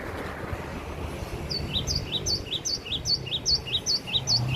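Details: Java sparrow from Aceh, kept at home in a hanging cage and singing actively: a steady series of short, paired high chirps, about two and a half notes per second, over low background rumble.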